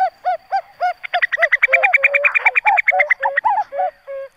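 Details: A female common cuckoo gives a fast, bubbling, laughing run of about a dozen quick notes, between a few lower hooked notes at the start and end.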